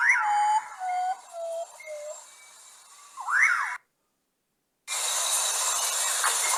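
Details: Common Potoo, known as urutaú or pájaro bruja, singing its mournful night song: several whistled notes dropping in pitch, then a rising swooping note. The clip ends with silence and then a burst of loud hiss.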